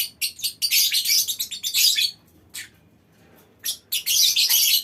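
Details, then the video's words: Colony of lovebirds in a mini aviary, their calls prompting other birds to chatter at length; a long burst of piercing, grating chatter, a quiet gap, then another shrill outburst. "Suara Lovebird Koloni Bikin Burung Lain Ikut Ngekek Panjang"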